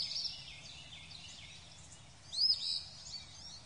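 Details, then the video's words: Robin singing thin, high warbling phrases with quick trills, swelling into a brighter burst near the end, over faint low background hum. "Song of Robin bird"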